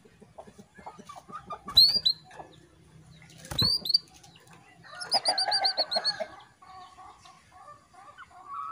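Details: Female canary calling a male to raise his breeding drive; two loud rising whistles, then a quick burst of short high chips and soft twittering.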